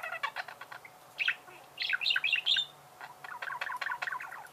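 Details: Warbling budgerigar chirps: a run of fast clicking ticks leads into bright chirps and squeaky whistled notes, then more quick rhythmic chattering, with low hum in the background.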